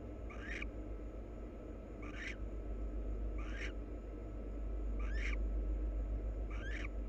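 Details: A pair of wild barn owls preen each other, with short rasping, twittering bursts that sweep upward, five of them spaced about one to one and a half seconds apart over a constant low background hum.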